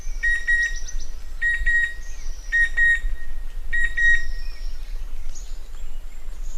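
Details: Chestnut-winged cuckoo (Clamator coromandus) giving clipped, metallic whistles in pairs and threes, about once a second, over high thin chirps from other birds and a low rumble.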